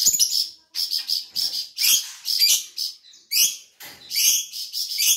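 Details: Vigorously singing flamboyan bird, an insect eater of Sumatra: short bright chirps and sharp rising notes in separate bursts, roughly one a second, with brief gaps between.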